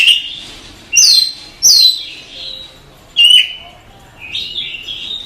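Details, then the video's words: Oriental magpie-robin singing masteran: loud, sharp downward-sweeping whistles repeated at irregular intervals, each followed by a short trailing note. "Suara Masteran Kacer"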